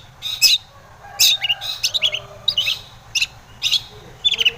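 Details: Lure song of a long-tailed shrike (cendet) meant to make rival shrikes answer: bursts of harsh high chattering notes with squeaky slurred chirps in irregular clusters.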